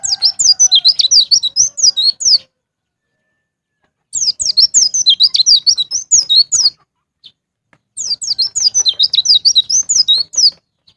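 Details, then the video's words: White-eye song used to encourage caged birds to sing: three bursts of rapid, high, slurred whistled twitters with silent gaps, a faint steady lower tone under the first. "PANCINGAN BURUNG PLECI NGALAS NGEPLONG"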